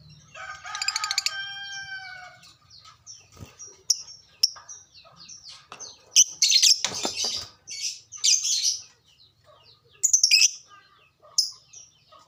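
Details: Caged lovebird used to stimulate other lovebirds into singing: a long, varied sequence of shrill, high squeaks and harsh chattering bursts with short pauses, opening with a rapid buzzy trill.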